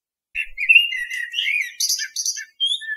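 A common blackbird sings a mellow, fluty warble that breaks into a squeaky, high twitter and ends on a thin whistle.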